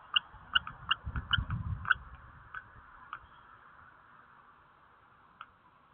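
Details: Common kestrel, one of a pair possibly seeking a nest site, giving a quick run of sharp, high kee-kee-kee notes, about six in two seconds, then a few scattered calls, over a low wind rumble.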